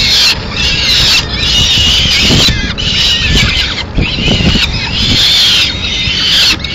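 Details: Female peregrine falcon flying in with pigeon remains, Madrid, 30 April 2016; harsh, strained wailing calls about once a second in long runs, with a deep background rumble.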